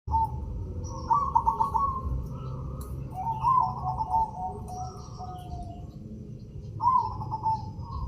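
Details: White zebra dove with red eyes, singing: soft trilled cooing phrases with a stuttering rhythm, repeated in three bouts a few seconds apart, over a low rumbling background and faint higher chirps.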